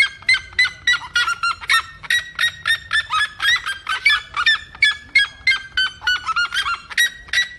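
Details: Red-legged seriema singing a long, unbroken series of strident, barking yelps at about three per second. The notes waver in pitch, dipping and rising in waves through the run, over faint low background noise.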